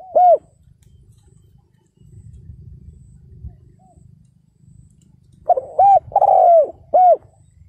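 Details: Spotted dove kept as a ground decoy, calling in 2022 to provoke and lure wild males: one loud, hoarse cooing phrase of short notes and a long falling coo near the end, with a low rumbling background and an earlier clipped note.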